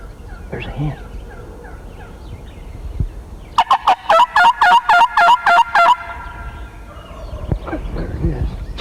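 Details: A male wild turkey strutting about 50 yards away on a foggy morning hunt gives one loud, rapid, rattling gobble of about ten throaty notes lasting two seconds, with faint voices and outdoor sound before and after.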